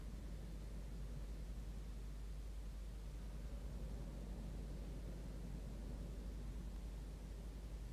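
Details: Faint steady broadband hiss over a low hum, with no animal voices.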